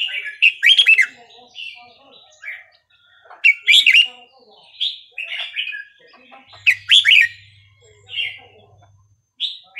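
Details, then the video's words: Bulbul song in the Burmese regional style for tutoring young birds: loud clustered chirping phrases repeated roughly every three seconds, each a quick tumbling warble, with a brief low hum near the end. "นกกรงหัวจุกเพลงถิ่นพม่า 3-4-5-6 เปิดสอนลูกนก"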